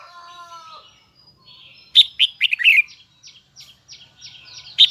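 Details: Huë-style red-whiskered bulbul delivers one loud, high twisting phrase of bright warbled notes. It is preceded by a soft tonal hum and followed by a string of quieter, thin chirps.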